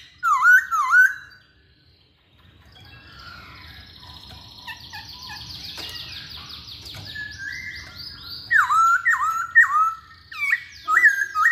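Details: Loud slurred whistles from a masked laughingthrush open the passage. A harsh, noisy stretch follows, then a series of sharp repeated whistled notes with short gaps between them.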